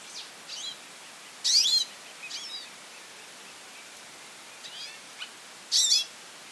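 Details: A goldfinch calling persistently gives high, thin twittering calls in short bursts, with two louder, buzzy chattering flurries a few seconds apart, over faint background hiss.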